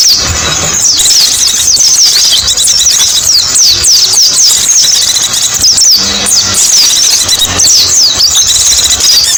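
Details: Mountain white-eye song used as a lure: dense, rapid, high-pitched whistled notes, many sliding up or down, chained in continuous bright twittering phrases with hardly a pause, with a faint low hum underneath.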